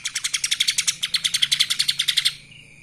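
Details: Lesser green leafbird giving kapas tembak style song, a fast, even trill of around twenty bright, high chirps lasting two seconds, then stopping abruptly against a faint steady hum.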